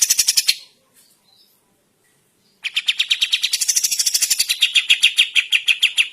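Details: Sooty-headed bulbul singing lively in the morning: a burst of rapid harsh chirps, a pause of about two seconds, then a long steady run of fast, bright, chattering notes repeated several times per second.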